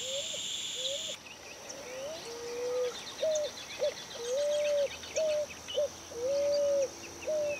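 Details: Member of the pigeon and cuckoo families, 2018: a series of clear mid-pitched notes, some short and hooked, some drawn out and flat, repeated irregularly about every second, with faint high chirps behind.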